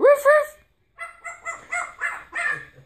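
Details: Pet African grey parrot imitating a dog's barking indoors after a person prompts it with "roof, roof"; the prompt is followed by five short, hoarse, bark-like calls spaced roughly a third of a second apart.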